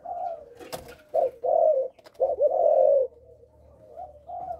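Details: Young spotted dove sold as a Malaysian-line bird, tested indoors, giving a stuttering coo: low hoarse coo phrases, a short note then longer rolling coos, with a sharp knock partway through.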